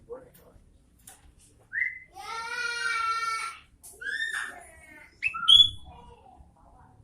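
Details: Sooty-headed bulbul in lively song. Clear whistled notes sit around a long, harmonically rich sustained note lasting over a second, followed by more bright, sharp whistles and short chirps.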